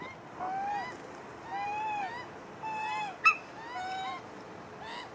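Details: Magpie family feeding after a squabble, young birds among them: four long, drawn-out whistled notes about a second apart, slightly rising, with one sharp click in the middle.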